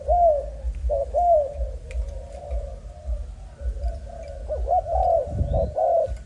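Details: Young Malaysian-type spotted dove of line 55 giving scattered arched coos at the start and end, softer murmuring coos between, with a low thump and steady hum in the background.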